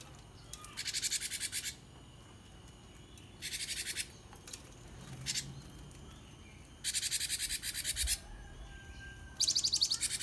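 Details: Java sparrow song: four high, dry bursts of rapid clicking chatter, each about a second long, separated by pauses of one to three seconds; used as a lure or tutor to get other birds singing.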